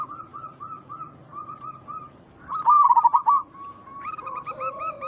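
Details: Zebra dove lure sound meant to make local birds respond: soft spaced notes, then a loud rapid rolling coo, a level held tone, and a second, lower voice joining with repeated notes.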